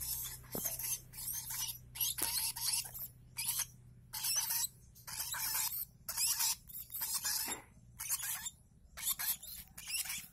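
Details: A one-month-old baby lovebird begging to be fed gives harsh, raspy begging bursts, roughly two every three seconds, with a faint low hum and a few soft clicks behind.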